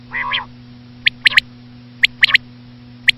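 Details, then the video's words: Common quail: a brief nasal buzzy phrase, followed by crisp high three-note bursts spaced about a second apart, over a faint steady hum. "common quail.quail sound effect.batair ki Awaz.Звук самки перепела.صدای بلدرچین ۔.बटेर की आवाज"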